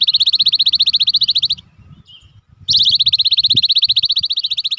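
A Cinereous tit delivers a fast, even string of sharp, high notes, about a dozen per second. It breaks off for a second, then resumes at the same pace.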